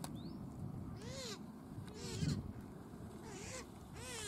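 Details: Pukeko, or Australasian swamphen, at a park in Christchurch in April: four loud, harsh, nasal screeches with arched harmonics, each about a third of a second long, spaced roughly a second apart over a low rumbling background.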